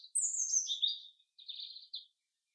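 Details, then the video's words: Forest chaffinch song, heard without music: a bright note, then a rapid phrase sliding down from very high to mid-high, a pause, then a buzzy rattling section ending in a short final burst. "Beautiful Song of the Chaffinch in the forest"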